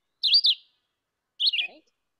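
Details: Red-eyed Vireo giving two short, slurred, high-pitched warbled phrases about a second apart, each rising and falling quickly, its "here I am, where are you" song, higher pitched and faster than the Yellow-throated Vireo's.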